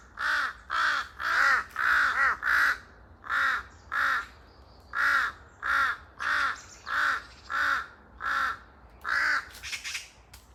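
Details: A pair of large-billed crows (jungle crows) gives loud, harsh, noisy caws in a steady run, about one every half second, some overlapping, echoing through a quiet forest.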